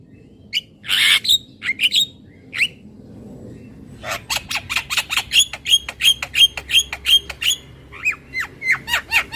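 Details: Asian pied starling, song played for training, beginning with scattered squawks, then a lively chattering sequence of quick notes with short whistles, repeated almost three times per second.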